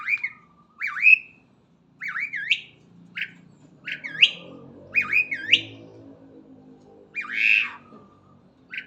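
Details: Morning starling song of repeated twisting whistles that dip and climb, with some phrases ending in a harsh burst, and a faint low hum beneath.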